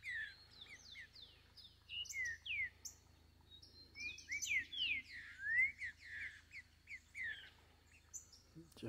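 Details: Green-winged saltator singing freely in the forest: a rich run of clear, sharply slurred whistles, mostly falling, delivered in quick bursts, with a faint steady low hum behind.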